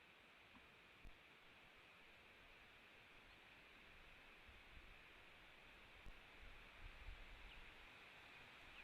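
Steady hiss with a few faint knocks and rustles, and no animal voice.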